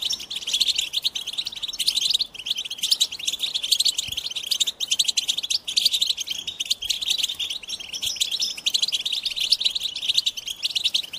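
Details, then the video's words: American goldfinch singing a continuous, rapid run of high twittering notes and trills, chattering on without pause, loud and bright throughout with little background sound. "The Joyful Songs of Goldfinches"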